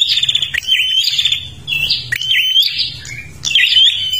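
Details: A Kalimantan prinia sings non-stop as a lure for other birds, with buzzing rolled phrases and ringing rising whistles, about four bursts separated by brief quiet gaps, over a faint low drone.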